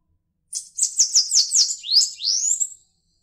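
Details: Cambacica, the Bananaquit, delivering one high, fast trill of buzzy clicking notes that breaks into two rising slurred whistles, about two seconds long, with a clean, quiet background.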